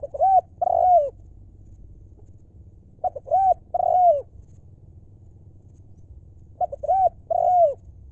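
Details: Decoy spotted dove from wild stock repeating its 'lio' coo about every three seconds: short lead-in notes, a bowed coo, then a sustained downward-sliding coo, with a constant low hum behind.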